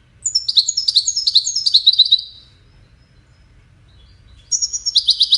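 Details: Goldfinch widani song played so chicks learn it: a two-second sequence of clear descending twittered phrases, a pause, then a loud, rapid buzzy trill.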